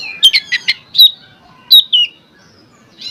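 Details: Oriental magpie-robin song meant to provoke rival singers: a few quick sharp chips, then clear whistled notes and a falling slur, then a pause.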